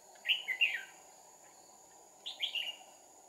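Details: Fighting song of a red-whiskered bulbul, with two decoys in use to trap a wild bird, 2 April 2019. Two quick chirpy warbled phrases about two seconds apart over constant insect buzzing.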